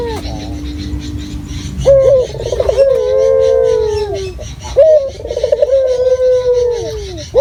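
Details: Local spotted dove calling vigorously, used as a lure to provoke rival doves: low, hollow, rolling coos with a throaty tremble, each phrase swelling and fading over about two seconds, over a rough, noisy background.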